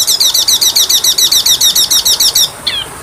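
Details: Kacer (Oriental magpie-robin) masteran song. A rapid, even series of about fifteen high, rising-falling whistled notes runs for over two seconds, then one short downslurred note follows.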